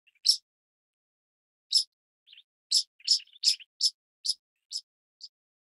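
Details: Pied kingfisher giving piercing high chips, two isolated notes then a quickening run of about eight clipped, squeaky calls that taper off in loudness.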